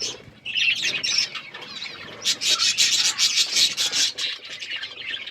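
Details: Budgerigar chirping while eating food: dense, rapid high twittering and chattering with scratchy notes, rising to a busier run of bright chirps in the second half.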